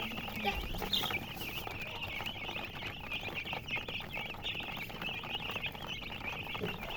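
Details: Chicks giving dense, continuous high peeping, many short chirps overlapping throughout, with a faint low background hum.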